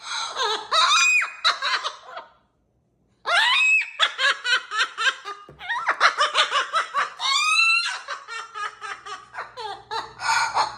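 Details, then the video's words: A pet macaw mimics human laughter in a small room with bursts of rapid, rasping cackles, a short pause, then longer runs of choppy 'ha-ha' notes. "laugh copy"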